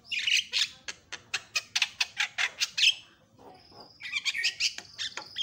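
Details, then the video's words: Javan myna reacting quickly to a lure sound, going from silent to noisy. A fast run of about ten loud harsh squawks, then a pause, a thin whistled tone and renewed scratchy chattering. "HITUNGAN DETIK JALAK KEBO LANGSUNG BERISIK"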